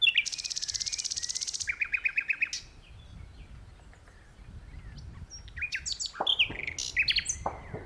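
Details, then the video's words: A nightingale in a tree opens with a fast buzzy trill, follows with a series of quick repeated chirps, falls quiet, then resumes with varied sharp whistles and downward-sweeping notes. "Nightingale Singing"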